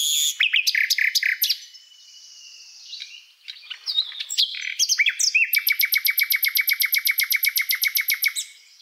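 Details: Common nightingale (Luscinia megarhynchos) singing loud, varied phrases: sharp chips and whistles, then a long rapid series of identical notes at about six per second.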